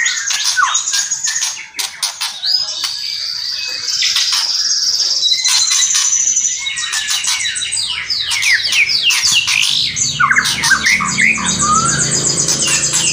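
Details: White-rumped shama song with kretekan and whistling: dense rapid chatter of sharp clicking notes and high whistles, fast downslurred phrases repeated in quick succession, busy and continuous throughout.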